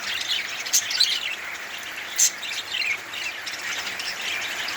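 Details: Budgerigar; chirping chatter; courtship during mating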